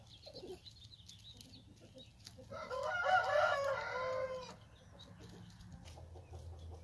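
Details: A hen crowing: one harsh, drawn-out crow of about two seconds with stacked harmonics, rising then holding and breaking off, preceded by a brief squawk and followed by low background noise.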